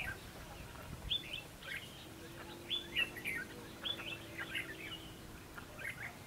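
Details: Fight-trapping red-whiskered bulbul calling to draw birds into a trap: sharp upward-flicked whistled notes repeated about once a second, fairly quiet, over background hum and a low droning tone.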